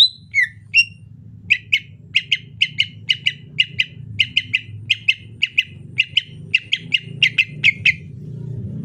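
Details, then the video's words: Rainy-season greater green leafbird in relaxed 'ocehan lemas' chatter, opening with a few falling whistles, then a long run of crisp paired chips at an even pace, with low background rumble. "ocehan lemas cucak ijo musim penghujan"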